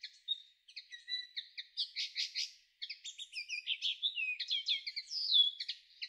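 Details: Common linnet, May 2013: a long, varied twittering run. It starts with soft chirps and a thin whistle, turns into loud buzzy rattled clusters, pauses briefly, then continues with nasal twangs and quick trills.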